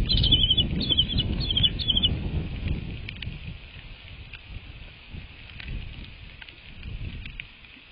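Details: American bald eagle at its nest, watched by a live nest camera on 22 March 2024 around 07:53; a rapid run of high, thin chittering notes fills the first two seconds over steady low rumbling wind-like noise.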